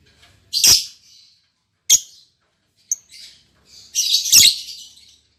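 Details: Caged albino MM male lovebird and lutino MM female, just matched as a pair: a few isolated piercing squeaks spaced by silences, ending in a longer harsh chattering burst.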